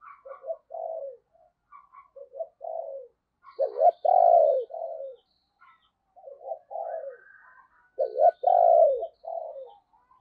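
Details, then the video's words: Spotted dove decoy calling wild doves at morning: repeated soft coo phrases, each stuttered notes building to a loud drawn-out falling coo, with faint high chirps in the background. "cu gáy - Chim Cu Mồi Thúc Và Gáy Gọi Bổi, Dùng Kích Bổi Vào Buổi Sáng Rất Hiệu Quả"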